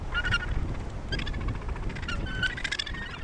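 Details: At the Point Danger colony near Portland, Victoria, Australia, Australasian gannets utter short harsh calls in scattered bursts, a clear rasp near the start and another near the end, over constant low wind and surf.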